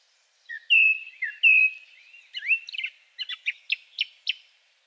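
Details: A second male song thrush sings a very simple song with a few unusual sounds: two long slurred whistles, a rising note, then a string of short, sharp clicking notes spaced evenly apart.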